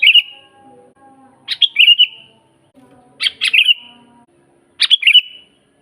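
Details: Sooty-headed bulbul, presented as a lively natural singer for bird training, delivers four quick bright phrases, some with double sharp opening notes, each ending in a short descending trill, faint low background sounds.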